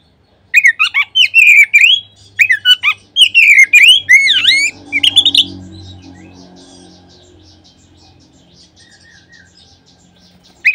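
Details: Oriental magpie-robin lure song, played to provoke other magpie-robins into singing. Dense, loud whistled phrases with swooping, rising and falling notes fill the first five seconds. A low background hum and quiet gap follow, then a brief final note.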